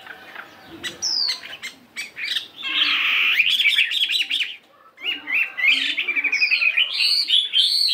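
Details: Fighting Chinese hwamei weighing 72 grams, practising its morning song: rapid chattering notes and high slurred whistles, a dense buzzy burst in the middle, then quick repeated notes.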